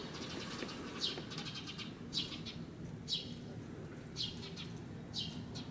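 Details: Adult Eurasian tree sparrow calling "chichichi" while watching over a fledgling perched on a bicycle, luring a natural enemy's attention. Five evenly spaced bursts of high, clipped chirps, about one per second, with low background noise.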